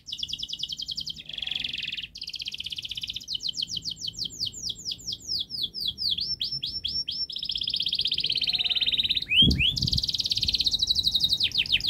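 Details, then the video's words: Long, speedy canary song used to teach young canaries: dense rolling trills and buzzy tours, a run of fast repeated swept notes, and one brief low knock partway through before more rapid trilling. "Kenari Gacor Panjang Speed Rapat Untuk Pancingan kenari Paud Agar Cepat Gacor"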